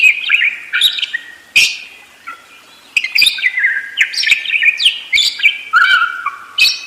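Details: Budgerigar warbling persistently, mixing sliding whistles, buzzy trills and sharp clicks in overlapping phrases with barely any pause.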